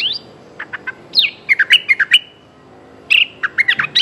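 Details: Streak-eared bulbul calling a mate: a rising whistled note, scattered chips, then a run of quick bubbly notes and a second chattering burst after a short pause.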